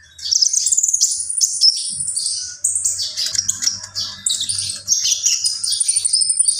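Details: Common iora singing vigorously: a dense, continuous stream of very high, thin twittering and slurred whistled phrases with brief pauses near two and a half and four and a half seconds, over a faint low hum.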